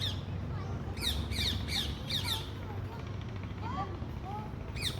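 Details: Parrots giving harsh, raspy squawks in short bursts, several in quick succession around the first two seconds, then a lone squawk at the end, with softer chirps between and a steady low rumble underneath.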